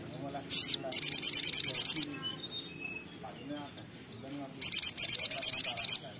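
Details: Little spiderhunter, called sogok ontong or sogon locally, in energetic song: two fast runs of piercing high notes, about ten per second for a second each, separated by quiet softer twitters.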